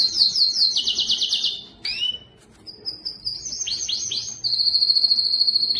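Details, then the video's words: Canary song used to train young canaries, stir males to sing and prepare females for breeding: fast high buzzy trills, a brief gap, then rolling downward-sweeping notes and a long steady high trill. "صوت كناري مميز للتسميع"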